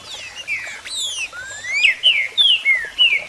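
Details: Green-winged Saltator singing in the 'marcheando' style: clear whistled notes, some slurring upward and others sliding down, becoming a loud series of short descending whistles in the second half, against a quiet background.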